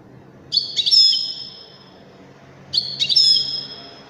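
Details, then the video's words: Wedani goldfinch song: two similar phrases, each a quick cluster of sharp chirps flowing into a sustained, shimmering high whistle that slowly fades. Steady low hum beneath. "تغريد رائع أناقة في الأداء طائر الحسون الويداني"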